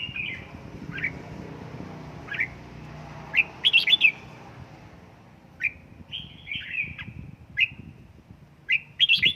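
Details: Caged red-whiskered bulbul trained at home for 'căng lửa' song: a run of short chirps spaced about a second apart, broken by quick bubbly phrases of bright whistled notes, over a low rumbling background.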